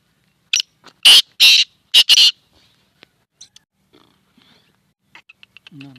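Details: Black francolin calling: a short harsh note, then a pair of loud rasping grating notes, then a close double note, followed by faint scattered clicks and a low tonal sound at the end.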